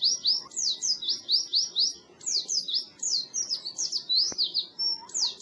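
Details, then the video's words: Clear Oriental white-eye song meant to coax birds that stopped singing: repeated rising and falling high whistled slurs in rhythmic pulses, with a soft low hum in the background. "Suara Burung Pleci Masteran Pleci"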